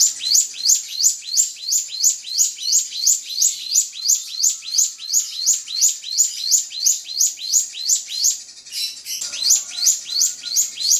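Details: Rival-provoking drongo song made of sharp, high, rising-and-falling chirp bursts repeated nearly three times per second, very evenly, with one brief rough break near the end.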